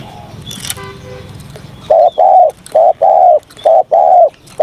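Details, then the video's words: A spotted dove in a morning voice-training session. A noisy rustle and a short tooting sound come first, then a run of deep, rounded coos in short-long pairs at an even pace. "Tiếng Chim Cu Gáy// luyện giọng cu gáy buổi sáng"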